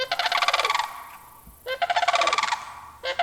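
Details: A sandhill crane's rattling, rolling call repeated twice, each trilled note lasting under a second and dropping at the end, with the start of a third call cut off at the close.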